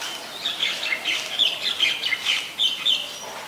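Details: Busy, grating chatter from a White-vented myna recorded on 17 July 2020 in Ubon Ratchathani, Thailand. Uneven harsh notes mixed with squeaky chirps pour out almost continuously for over three seconds.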